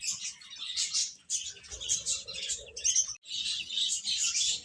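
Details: Chicks eating and playing: steady overlapping high-pitched cheeps from a group, with a faint lower hum in the middle and a sudden brief silence before the calls return.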